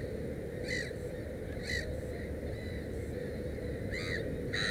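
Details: Black-headed gull beside a nest with three chicks, producing separate loud, hoarse calls, two close together near the start and a pair near the end, over steady low background rumble.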